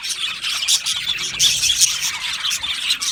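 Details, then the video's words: Budgies in an Australian-type aviary colony chirping in a crowded, overlapping chorus; fast scratchy twitters and clipped squawks, with several louder bursts standing out from the steady high chatter. "Beautiful Budgies Birds Chirping Sounds"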